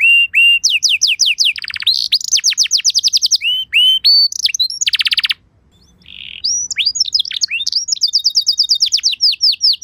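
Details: Domestic canary singing a luxurious 'pancingan' lure song meant to make other canaries reply: varied tours of falling whistles and rapid rattling rolls, broken by a short pause with a soft buzzy note, then resuming in quick trills.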